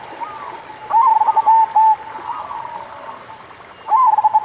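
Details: Local zebra dove singing to rouse doves that are slow to sing: a clear phrase of rapid coos ending in a long, steady note, a quieter stretch, then another phrase beginning near the end.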